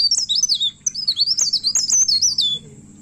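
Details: Intensely singing, agitated myna looking for a rival pours out shrill, rolling whistles that wave up and down in quick loops, then falls silent, leaving a low background rumble.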